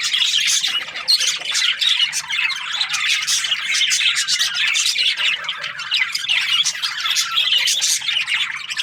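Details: Budgerigar in a happy mood, chirping in an unbroken, high-pitched, scratchy warble full of quick squeaks and tweets, loud and even from start to finish.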